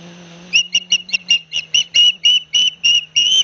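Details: Osprey nest on a live cam at Barnegat Light, New Jersey, 9 September 2021, where two young each get a big fish from their father. Some dozen crisp whistled notes come about three or four per second over a steady low hum.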